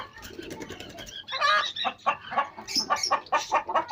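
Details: Hens kept as pets meeting chicks, with a jumble of rapid, uneven clucks and high cheeping notes and occasional rustling.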